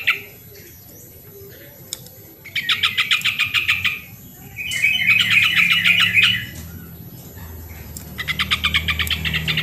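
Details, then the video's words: Original recording of a yellow-vented bulbul, played to prompt reluctant birds to start singing. Loud runs of quick, rattling, bubbly notes come in three phrases, the middle one denser and more slurred, with faint low hum underneath. "suara original burung trucuk pancingan trucukan yang malas bunyi"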